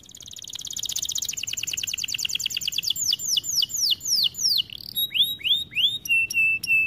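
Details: Canary song for training, a dense rapid trill slowing into broad sweeping syllables, then hooked rising notes and a final series of flat steady whistles repeated about twice a second.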